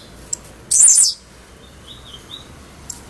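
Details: An albino blue-black grassquit gives one short, high, buzzy burst of song lasting under half a second. A faint thin whistle and a couple of soft ticks follow.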